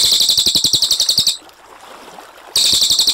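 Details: Cililin, a brown cililin, sings a rolling song meant as a tutor recording for cage birds. A high, rapid, chattering trill breaks off, and after a one-second pause a second trill starts.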